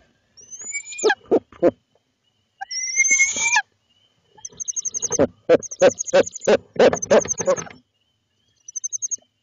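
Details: At night in Lebanon, Connecticut, a male barred owl brings food to his mate for their three owlets; two drawn-out high screeches, then a fast series of about a dozen harsh cackling notes and a brief final trill.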